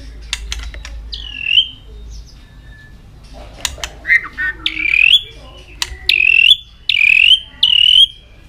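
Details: Singing white-rumped shama in fighting-song mood with steady tail flicking, giving soft clicks and chatter, then a run of loud rising whistled notes that slur upward, closely spaced in its second half.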